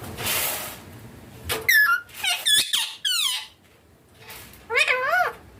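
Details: Indian green ringneck parrot kept as a pet indoors with its owner, calling naturally: a series of short squeaky, tonal notes bending up and down, then a pair of wavering rising-falling squeals near the end, with quiet room noise.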